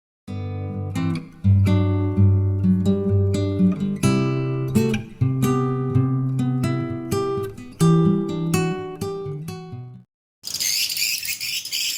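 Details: Plucked acoustic guitar music with low strummed chords and notes, ending in a brief burst of broadband noise; no animal calls.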